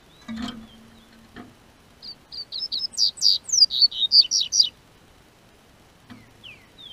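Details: Double-collared seedeater, kept by a registered breeder in southern Brazil, singing as the spring weather warms: a rapid phrase of about a dozen high, sweet whistled and slurred notes over roughly three seconds, with a few soft knocks before and after.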